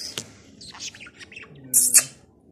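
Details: A pet talking budgerigar with a yellow head, said to be a bit crazy and fond of talking, chatters in a quick, scratchy warble, then gives two loud, harsh, buzzy bursts.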